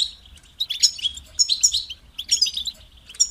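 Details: European goldfinch, kept bird, delivering short bursts of high, sweet chirps and twittering trills, roughly three phrases in quick succession.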